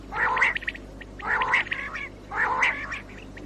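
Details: Common quail call from 2019, used to attract birds for morning hunting: three loud, rasping, multi-note phrases, each about half a second long, spaced about a second apart over a quiet background.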